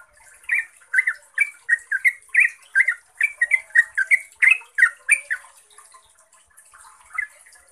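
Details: Yellow-vented bulbul, a recording used as a lure to train caged bulbuls: a long, clear run of quick bubbling notes, about three per second, each a short warbled chirp rising and falling, then fading out near the end.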